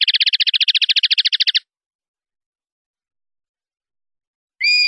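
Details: Common linnet clean-style song, 2019/2020 CD recording: a fast, even rattling trill of about twenty high notes lasting over a second, then silence, then a brief sharp whistled note.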